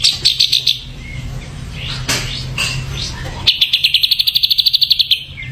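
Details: Ashy drongo giving quick bursts of high clipped notes, a pause with soft swept whistles and clicks, then a long rapid series of about twenty ringing repeated notes.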